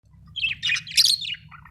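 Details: Budgerigar chirping: a quick run of bright, high, scratchy chirps and warbled twitters over under two seconds, ending in softer lower notes, with a faint low hum behind.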